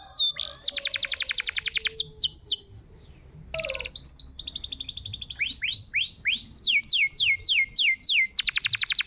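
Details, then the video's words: Canary song to make a silent canary sing again: bursts of fast rattling trills separated by swooping whistles, a brief pause, then rising whistles repeated about twice per second and a closing trill. "SUARA BURUNG ,PANCINGAN KENARI MACET‼️ GACOR"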